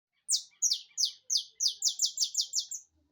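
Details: Saffron finch (canário-da-terra) in rapid-fire song: about ten bright, buzzy notes, each sliding downward from very high pitch, delivered in a quick accelerating string lasting under three seconds, with a faint low thump at the end.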